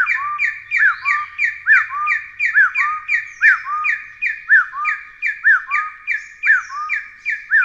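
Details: Taiwan hill partridge (Arborophila crudigularis), a Taiwan endemic, giving a long, steady run of loud, hoarse whistles that slur upward, about two per second, with no other sounds.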